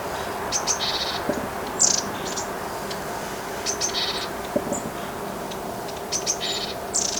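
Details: A Japanese tit in Korea gives short, high, thin notes in quick clusters, repeated every second or two, over a steady soft background hiss.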